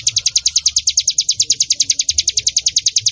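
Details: Song of the Bar-winged prinia, ciblek gunung, played as a lure for training birds: quick, high-pitched chirps in a tight, regular series, roughly eight per second, with faint low background noise.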